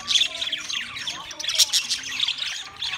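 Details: Loud budgerigar chatter recorded 13 March 2024, with sharp squawky chirps and trilled warbles tumbling over one another without pause.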